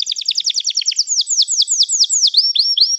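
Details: Canary pouring out a very fast high trill, then slower downward-sweeping notes in even succession, finishing with short upward-flicked whistles.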